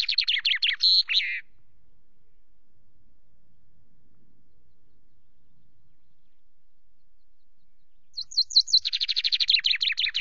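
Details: Common chaffinch singing on a camera perch at Loch Garten, preening between songs, 24 May: a fast high rattling trill sliding downward for about a second, then silence, then another run of rapid repeated notes that drops lower near the end.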